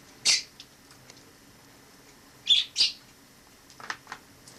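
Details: Sparrow living inside a home after entering via the balcony in autumn 2006, wild rather than bought; short bright high chirps, one alone then a close pair about two seconds later, followed by softer lower twitters.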